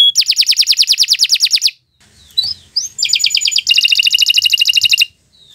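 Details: Canary singing rapid, even trills of repeated notes, a short quiet gap with a few soft notes, then another fast, dense trill before stopping.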